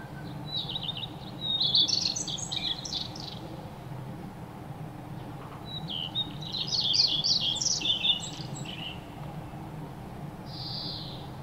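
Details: Playful birds chirping while bathing and eating: two bursts of quick, high, twittering chirps, each lasting about two seconds, then a short thin whistle near the end, over steady low background noise.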